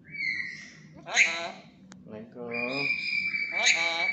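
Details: Talkative tame black-capped lory producing humanlike spoken syllables, with a brief squawk and a sustained thin whistle running under the later words.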